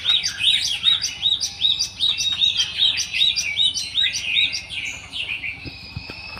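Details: Java sparrow in the wild giving a rapid, regular string of bright, hooked chirps, roughly two to three per second, fading near the end into a softer, drawn-out buzzy note.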